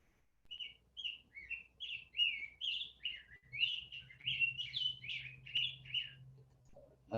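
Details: Rose-breasted grosbeak (Pheucticus ludovicianus) singing a long, sweet, robin-like warble of rich rising and falling phrases, about two notes a second, fuller and richer than an American robin's song, over a faint low hum.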